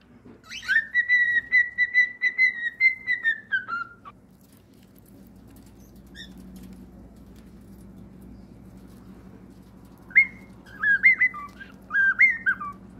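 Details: Pet cockatiel singing: a long, steady whistled note held for about three seconds that slowly falls at the end, then, after a pause, a burst of short rising and falling chirped whistles.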